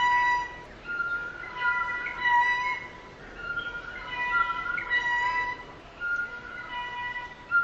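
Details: Blue jay, Cyanocitta cristata, in a lowered, drawn-out rendering: a series of deep, ringing, tonal notes with layered overtones, each lasting around a second, repeated steadily over soft background noise.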